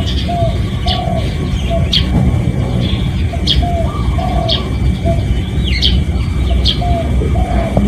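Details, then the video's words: Spotted dove lure call, recorded live: quieter mellow coos repeated about every second, mixed with sharp high chirps from other birds and a heavy low rumble. "เสียงนกเขาใหญ่ เสียงจริง ถ่ายจิง เอามาให้ฟังกันยาวๆ เสียงเป็นเสียงต่อ รับส่งได้เลย"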